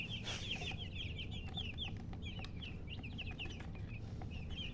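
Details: Chickens, murgi hen and color chicken, give a fast burst of high chirps at the start that thins into spaced single peeps. A short noisy rustle comes early, over a low steady rumble.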